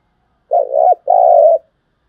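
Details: Spotted dove cooing, from a thúc gù and gáy gọi recording meant to attract birds for trapping: two long, mellow, sustained coo notes, the first ending in a quick downward hitch, with silence around them.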